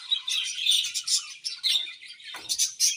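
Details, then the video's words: Several budgies in a steady run of bright, scratchy chirps and warbled chatter, loud bursts roughly every few tenths of a second, with one brief lower thump partway through. "Beautiful Budgies Chirping Sounds"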